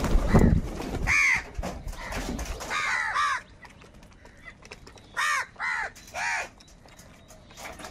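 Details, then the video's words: Crows squabbling over food give bursts of harsh, arched caws in uneven runs, with low thumping noise at the start and quieter gaps between calls. "Crow sound of kaka |কাকের ডাক Crow Sound Crow ki Awaz Loudly"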